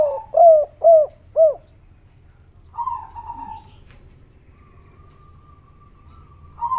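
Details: Kuk 3 derkuku dove call: three quick arched low coos open, followed by a wavering buzzy note and a thin steady whistled tone, with a final coo at the end.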